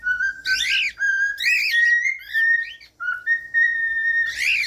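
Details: Cockatiel whistles meant to make cockatiels learn to sing: long, smooth, slightly rising whistles that alternate with loud, raspy, buzzing calls.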